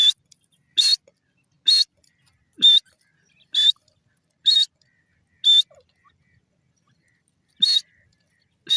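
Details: Sindhi teetar, the grey francolin, giving single high, thin whistled notes about once a second, nine in all, with one longer gap. The background is quiet.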